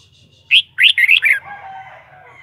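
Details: A kept red-whiskered bulbul gives a single bright phrase: one sharp whistled note, a short pause, then four quick rolling whistles. The phrase fades into a soft, lower drawn-out tail over a faint low hum.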